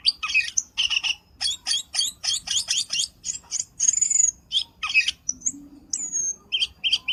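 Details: Black-winged starling lure call used for trapping birds: a rapid series of harsh, chattering, broadband notes in quick bursts, then clear high whistles, a downslurred whistle and short paired chirps, with faint low background rumble.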